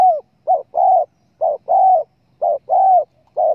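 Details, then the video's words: Spotted dove coos played as a hunting lure to attract doves: a short low note followed by a longer, slightly arched coo, the pair repeated about once a second on a quiet background. "pancingan suara burung TEKUKUR"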